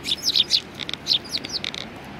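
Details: Eurasian tree sparrows come together at food at a Tenmangu shrine, 19 April 2019. Clear, high, twittering chirps with short upward and downward slurs follow in quick, lively bursts.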